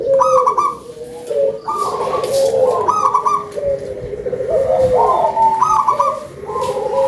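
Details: Local zebra dove with a big voice, singing actively: deep, rolling coos with a higher overtone, given in quick overlapping phrases about once a second, with faint chirps from other small birds behind.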